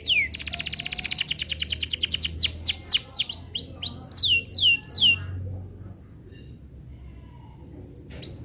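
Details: Vigorous canary song recorded as a lure to train young canaries: a fast, even trill of repeated high notes opening into slower, sweeping downslurred whistles, followed by several seconds of near quiet with a faint steady high tone.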